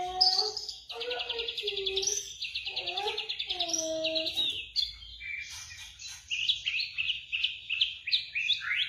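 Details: White-rumped shama song for coaxing a quiet bird into song, morning or afternoon: a long buzzy trilled phrase over lower clear whistles, then a series of short slurred whistled notes, with a faint low hum beneath.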